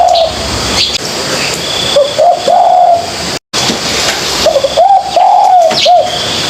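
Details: Young spotted dove learning to coo, used to spur other doves to practise: two breathy, low, hooting phrases of quick short notes rising into a longer arched coo, then a clipped final note, over steady background hiss.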